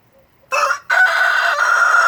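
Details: A rooster with his hens, which are taking a dirt bath, gives a loud crow: a brief opening note, a short break, then a long steady harsh harmonic note held to the end of the clip.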